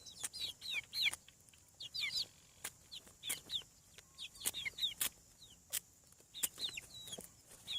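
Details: Chicks hatching from eggs on a farm peep constantly: sharp downward-sliding high chirps in clusters of two or three, with occasional knocking clicks among them.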